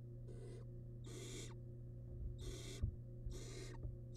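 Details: A wild barn owl chick in its nest box tearing into rabbit remains gives rough, noisy hisses in uneven bursts, with a low background hum and a sharp knock partway through.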